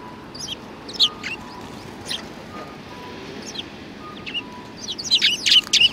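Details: Sparrows recorded on 2 January 2019: short, high chirps and tweets scattered through the clip, growing denser and louder near the end, over a low steady background hum.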